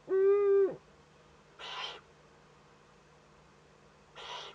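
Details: Eurasian eagle-owl chick filmed by a nest camera in northern Rhineland-Palatinate, Germany, 15 May 2013, first contact. A short steady tonal note comes first, then two rasping hiss bursts about two and a half seconds apart.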